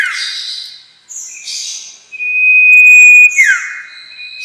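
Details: Lure call of the common iora for trapping birds: buzzy chattering notes, then a long clear level whistle ending in a quick falling slur and a final short buzz.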